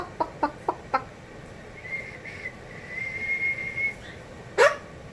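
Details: A pet cockatoo indoors, taught by his owner to whistle and being coached to do it softly, gives a long, steady high whistle of about two seconds, then a harsh squawk, after four sharp snaps, with a person speaking nearby.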